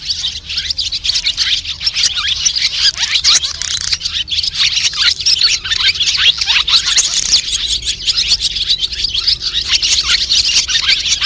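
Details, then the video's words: Flock call of white-bellied swallows, used to draw birds into nets and glue traps: a steady stream of bright, high twittering chirps from many birds, busy and unbroken throughout, with faint low hum beneath. "Tiếng ÉN ĐEN Bụng trắng gọi bầy"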